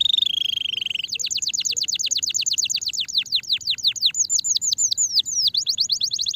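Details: Canary song for stimulating a sluggish bird: a steady high buzzy note, then a fast tour of downward-sweeping whistled syllables repeated about three per second, shifting to a higher looping phrase near the end.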